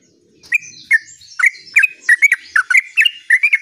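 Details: Sooty-headed bulbul singing gacor ngerol, starting with spaced, throaty warbled notes that quicken into a fast rolling chatter of bubbly two-note phrases.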